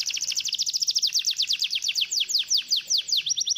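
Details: A canary's song for prompting a lazy canary to sing: one continuous, very rapid chattering trill of high notes, evenly pulsed about four to five per second, briefly quickening near the end.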